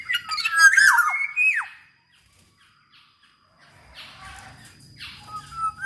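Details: Black-naped oriole (kepodang emas) in lively song, used as a tutor recording to prompt other orioles to sing. It gives a burst of mixed harsh notes and fluty, slurred whistles. A quiet pause follows, then fainter distant whistles over soft background noise.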